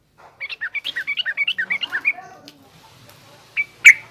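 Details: Yellow-vented bulbul, 'trucukan garuda' style song with rough 'ngriwik' twitter, played for young bulbuls learning to sing. About fifteen clear, evenly spaced notes bouncing up and down, then quiet and one sharp loud note.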